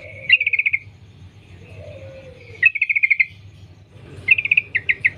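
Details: Yellow-vented bulbul in the wild, recorded as a lure to prompt singing: three quick trilled bursts of even chirps spaced about two seconds apart, with a faint lower sliding whistle between them.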